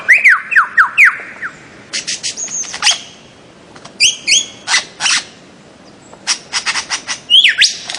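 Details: Calls of a bird-of-paradise in Papua, Aru Islands, Maluku, opening with a quick run of falling, slurred whistles, then harsh buzzy bursts and high squeaky notes, with another swooping whistle near the end.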